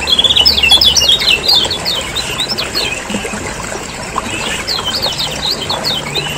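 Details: Lombok lemon-bellied white-eyes in busy lure chatter meant to prompt caged birds to sing: fast bursts of high, thin chirps, about four per second, thick at the start, thinning midway, then swelling again.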